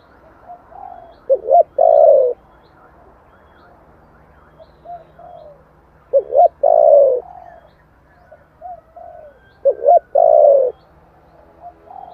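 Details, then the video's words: Spotted dove giving giọng thổ style song as a lure for wild doves. Three phrases, about four seconds apart, each made of two short hoots and a long, loud coo, with faint low notes in the gaps. "tiếng chim cu gáy giọng thổ chuẩn kích bổi nhanh nổi"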